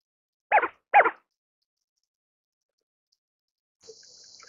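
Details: Greater scaup, also called bell duck, gives two short, harsh, raspy notes about half a second apart, then silence, with a faint steady hiss at the end.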